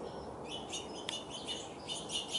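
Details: Hungry orange-crowned warbler in a backyard, uttering a quick series of thin, high chirps and one sharp click over constant low background hiss.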